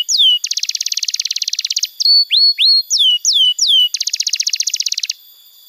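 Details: Canary song meant to train young canaries: a descending whistle, a long fast metallic trill, a run of separate whistled slurs and upswept notes, then another rapid trill.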